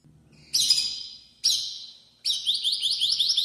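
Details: Loudly singing Spanish canary: two separate harsh, fading bursts, then a quick, rhythmic high warble of repeated wavy notes.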